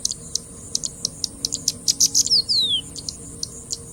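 Singing bush lark giving a rapid series of high, dry chirps and ticks, with a couple of buzzy notes sliding downward midway.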